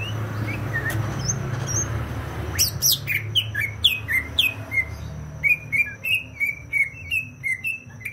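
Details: Greater green leafbird from Banyuwangi, East Java: scattered whistles, then loud rhythmic song of repeated downward-slurred whistled notes about three per second, over faint low traffic hum.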